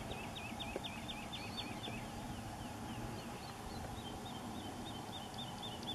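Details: Black woodpecker working on a nest at Heidestein: a fast run of about nine sharp, high, slightly down-slurred notes, then a fainter, looser series, over steady low traffic rumble.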